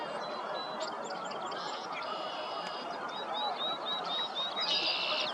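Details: Red-winged Blackbirds singing in spring at Middle Creek, Pennsylvania, on a warm week; short phrases ending in harsh, buzzy trills over steady background rushing.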